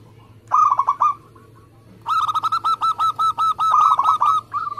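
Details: Local zebra dove singing with speed and tight spacing. A short burst of quick coos, a brief pause, then a long run of about fourteen rapid, rolling notes ending in a lone coo.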